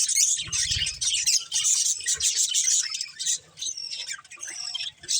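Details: Budgie breeding pair in captivity giving busy high chirps and scratchy warbles, with a short low thud early on and a brief pause near the end.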